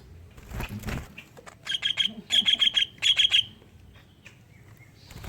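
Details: Greater green leafbird song with learned kingfisher-style insertions, played to prompt other leafbirds to sing: low rumbling handling noise first, then clusters of short, sharp notes repeated rapidly in three quick bursts.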